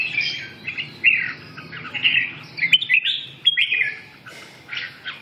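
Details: Red-whiskered bulbul in full song, a run of quick, slurred whistles and chirpy notes, closely spaced and uneven in rhythm, with a steady low background hum.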